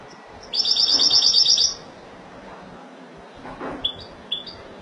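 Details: European goldfinch singing in the Spanish Malaga style: one rapid, tinkling twittered phrase just over a second long, followed by a few short, high call notes.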